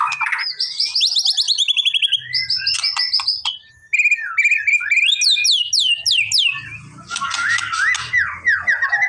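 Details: White-rumped shama song meant to provoke a silent bird into responding. Rich, varied phrases: rapid high trills, buzzy bursts, sweeping downward-slurred whistles and chattering notes, with a brief pause near four seconds and a faint low hum.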